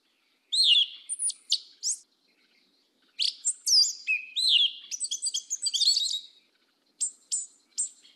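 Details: Black Yellow-legged Thrush singing in the southern 'mateiro' song style: high, quick phrases of sharp whistles and thin rising-falling notes, a pause, then a longer run of rapid twittering notes, with brief chips at the end.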